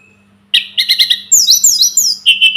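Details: Sunda robin (tledekan gunung) in a tutoring recording. After brief quiet it breaks into quick, strong chirps, then high descending slurred notes and a final clear whistle, over a faint steady low hum.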